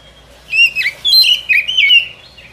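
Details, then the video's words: Forest trapping lure of a white-rumped shama: a brief sequence of rich warbled whistles, wavering up and down in pitch, in quick succession. "Suara Pikat Burung Kacer ini Sangat Gacor, boleh di coba pikat di hutan"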